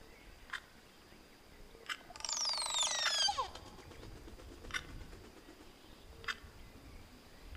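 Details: Crested oropendola, also known as cornbird: one loud burst of about a second, liquid whistled notes sliding steeply downward over a rushing, rasping noise, then quiet with scattered sharp clicks before and after.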